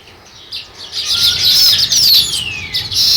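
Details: Sparrows beginning a nest: chirping builds from quiet into loud, thick chatter, with one clear whistled note sliding downward partway through.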